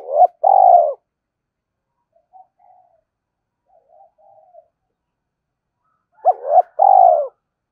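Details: Spotted dove decoy bird calling: a two-part cooing phrase, a short note then a long, low, slightly falling coo. Soft murmured notes follow, then the phrase repeats about six seconds later.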